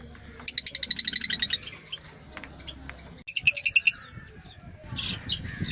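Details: African lovebirds chattering in rapid bursts of shrill, high chirps, about a dozen fast notes in just over a second, then a pause and another quick squeaky burst, over soft rustling and low background noise.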